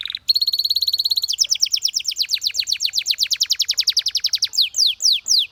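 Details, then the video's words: Singing canary opening with a steady high whistled note, then a long fast series of descending chirps repeated about twice a second, ending in slower downward-sliding whistles. "The Most Beautiful Canary Chirping Sounds"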